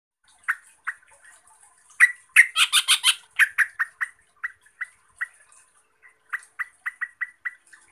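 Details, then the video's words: A Yellow-vented bulbul (Pycnonotus goiavier), described as a clever bird that provokes other bulbuls into agitated, raging, vigorous song, gives bubbly chattering notes around 2 kHz, with harsh gargling phrases midway and quick repeated chirps at the end. "Trucuk ini PINTAR bikin Trucukan lain EMOSI, GACOR dan NGAMUK - Suara Burung Trucuk"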